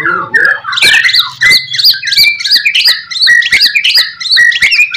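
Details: White-rumped shama master song meant to make other shamas answer: repeated bright whistled phrases with sharp upslurs, delivered in a steady pulsing series with clicks between.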